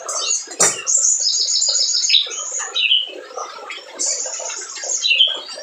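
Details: Spiderhunter in full, vigorous song, used as a lure to stir reluctant birds into singing: rapid high chirps, squeaky notes and thin whistled trills, dense and overlapping, with a sharp burst near the start.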